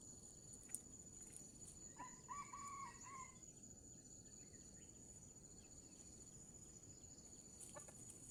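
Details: Wild red junglefowl in Sumatra, lured with a decoy near the end of the fasting month: a faint, distant crow of several stacked, tonal segments lasting about a second and a half, under steady insect buzzing and faint chirps.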